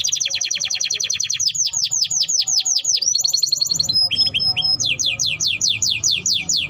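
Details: Timbrado canary singing a beautiful melody: fast repeated downward-swept notes in rhythmic series, a brief high whistle, then another run of sweeping trilled syllables.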